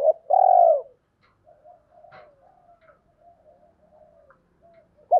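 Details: Spotted dove lure coo to incite wild males: one long loud mellow coo at the start, then soft low murmuring notes, another coo beginning at the very end.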